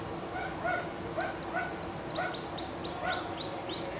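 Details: Live song of a Llarguet Español canary, a breed described as well known and legendary: clear downward-sweeping whistles repeated about three times a second, fairly quiet over constant background hiss.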